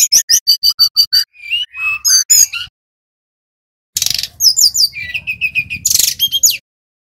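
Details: Brown-chested jungle flycatcher, Bali type, lure recording to provoke singing: evenly spaced sharp high notes, then slurred whistles, a pause, and a second bout of buzzy chatter and rapid whistled notes.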